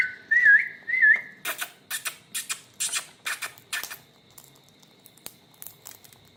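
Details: An Indian parrot pair (rose-ringed parakeets) while eating. Two wavering whistled notes open, then a run of loud rasping crunch bursts comes about twice a second before fading into quieter scattered clicks over a faint steady high tone.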